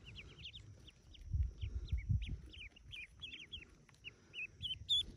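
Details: Clear, piercing peeps from yellow ducklings hatching in a cave nest, about forty chicks; quick strings of arched chirps, some doubled, with soft low thuds and shuffling between.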